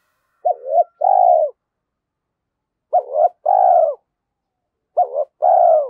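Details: Decoy spotted dove urged to coo quickly, giọng thổ style. Three phrases, each a brief double-note opening and a long mellow croo, repeat about every 2.3 seconds with no other sounds.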